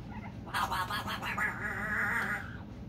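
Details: A pet male African grey parrot indoors makes funny sounds when he wants to be picked up: a drawn-out, wavering nasal squawk lasting about two seconds, shifting in tone, over a steady low household hum.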